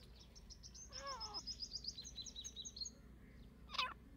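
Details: Deccani partridges fighting: a rapid run of thin, high chirps lasting about two seconds, a harsh harmonic call near the start, and one sharp squeak at the end over a steady low hum.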